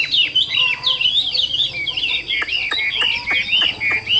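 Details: Chinese hwamei, a caged bird described as 80% tame, singing a rich, varied run of loud warbled and whistled phrases with sharp downward-sweeping notes repeated in the second half; faint steady hum behind.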